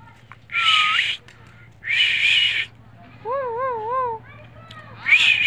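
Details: Talking rose-ringed parakeet: two harsh, rasping screech bursts, then a wavy, warbling whistled phrase rising and falling several times, ending with another rough squawk; steady low hum underneath.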